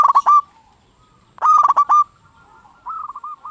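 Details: A singing local zebra dove, used to make other zebra doves respond. Two loud, harsh, stuttered coo bursts are separated by quiet, then a softer rolling phrase of evenly repeated notes follows.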